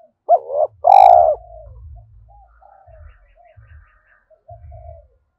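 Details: Decoy spotted dove calling wild birds in the early morning, thổ voice style; two loud deep coos open the phrase, followed by softer trailing coos and faint low clicks.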